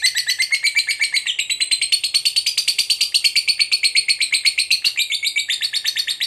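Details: Lovebird, described as a fighter bird, in a long ngekek trill meant to provoke a rival: a continuous, rapid high chatter, roughly eight notes per second, shifting pitch slightly midway and running over six seconds.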